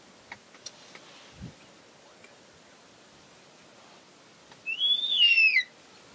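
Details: A young Verreaux's eagle-owl calls to its parents in a nearby tree early morning in African bush near Satara Camp, probably begging food: one high, drawn-out whistling screech rising then sliding down, after faint clicks.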